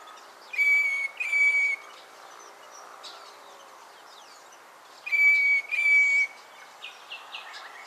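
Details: Two double whistles from a Northern Fiscal (Lanius humeralis) at Naro Moru River Lodge, Kenya, each note long, level and pure, the pairs about four seconds apart, with soft distant chirps in between.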